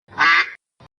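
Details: Farm duck, part of a kids' lesson naming farm animals, gives a single raspy quack of about half a second, then a brief, quieter after-note.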